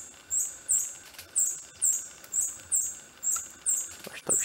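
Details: Long-tailed Hermit (Phaethornis superciliosus muelleri) calling at its display lek in dark forest understorey, Gunma Ecological Park, Pará, Brazil, June 2014: a thin, very high squeaky note about every half second, faint human speech behind.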